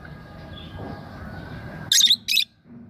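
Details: Lovebird giving two brief, sharp, high-pitched chirps in quick succession after a stretch of low background hum and faint noise.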